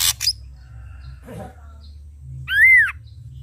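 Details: Red-eyed Ashy drongo singing vigorously: a harsh noisy burst at the start, soft murmurs, then a single loud, clear whistle arching up and down.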